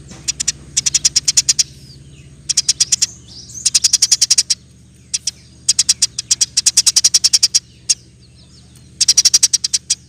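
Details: Eurasian tree sparrow in lively 'gacor' mood, delivering rapid 'roll tembak' rolls for songbird training masters; repeated bursts of six to twelve sharp high chips with brief gaps, a faint low hum beneath.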